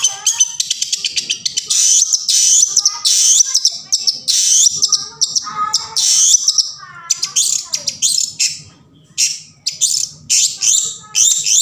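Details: Long-tailed shrike in the wild, played to get silent shrikes singing; a dense, scratchy medley of harsh chatter, squeaks and short whistled notes, almost continuous.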